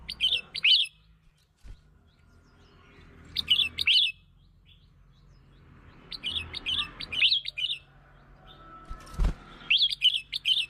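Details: Red-whiskered bulbul song for luring birds: brief bright phrases of two or three warbled notes every few seconds, with long quiet gaps, a faint background hum and a single sharp click near the end.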